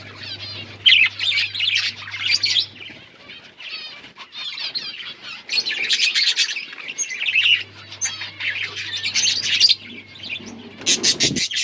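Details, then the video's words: Budgerigars chirping and talking, recorded October 31, 2023: bouts of rapid warbled twitters and rasping squawks from several birds, separated by short quieter gaps, ending in a sharp loud burst, with an intermittent low hum. "Budgies bird talking sounds | Birds chirping sounds"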